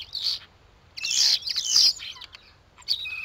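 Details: Common starlings quarrelling at winter feeders in a garden at Théding, France, December 2022: grating, squawky bursts and short whistled squeaks overlap in quick succession, followed by a brief thin whistle.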